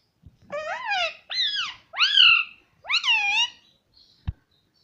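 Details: Pet parrot talking in a room, producing four rising, wavering voiced syllables in quick succession, each roughly half a second, followed by a single sharp knock.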